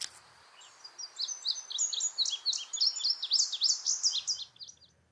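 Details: An Indigo Bunting, newly arrived for the season at Ivy Creek, a Virginia preserve of woodland edges and bushy grassland near the Blue Ridge Mountains, sings a bright, high, fast series of paired sweet notes lasting about three seconds, dropping and rising; faint low hum.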